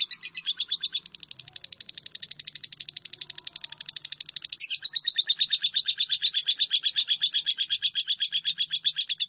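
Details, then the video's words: Lovebird giving a fast, steady chatter of sharp high chirps, close to three notes a second, continuing without a break and growing slightly louder in the second half. "SUARA BURUNG LOVEBIRD"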